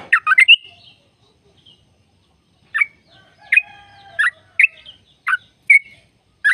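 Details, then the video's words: Sooty-headed bulbul, a trucuk singing 'ropel' long-trill style meant to stimulate other birds into song: a quick burst of chirpy notes, a pause, then separate liquid, slurred notes spaced roughly every half second. "Jadikan burung trucuk gacor trucukan gacor tempur ropel panjang"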